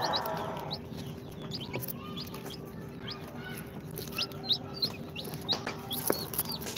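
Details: Newly hatched incubator chicks on their second day, a mix of Sultan, Golden Sebright, Cochin and booted breeds, peeping: many thin, high, short chirps overlapping irregularly, several per second, over a steady low hum and faint background noise.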